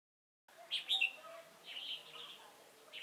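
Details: Red-whiskered bulbul used as a decoy for trapping at Chùa Hương on 28 November 2017, giving short bright warbled phrases after half a second of silence, then a softer rambling run of notes.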